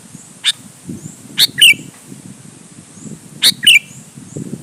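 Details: Sooty-headed bulbul singing as bait for rival bulbuls: a single thin note, then two bubbling slurred whistle phrases two seconds apart, over steady low rumbling background noise.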